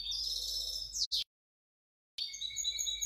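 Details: Goldfinch hybrid from 2019–2020 giving rapid high twitters and a quick slurred note, cut by a pause, then resuming with bright tinkling trills.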